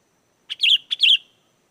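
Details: Energetic sooty-headed bulbul song, played to draw wild bulbuls into replying: two short, bright phrases, each a sharp note followed by a warbling, slurred whistle.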